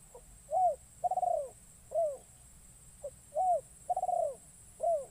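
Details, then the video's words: Decoy spotted dove brought into the wild forest to lure wild birds, repeating its phrase twice: quick soft note, arched coo, rolling pulsed coo, then a downslurred coo, against a steady high-pitched hiss. "Burung Terkukur Pikat"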